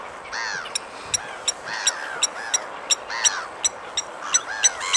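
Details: Blacksmith lapwing giving sharp metallic clinks, about three per second, irregularly spaced, with arched, downslurred calls from another bird behind.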